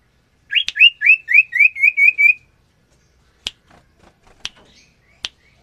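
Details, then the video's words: Common iora male and female in captive breeding, paired to mate and lay eggs: a fast run of eight clear, rising whistled notes in about two seconds, then a few sharp clicks. "Suara Burung Cipoh Jantan Dan Betina Gacor"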